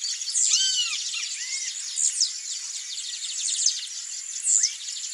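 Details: A wild Blue-black Grassquit in breeding season gives a short, high, buzzy note about every two seconds, over a dense hiss of insects and lower whistles from other birds.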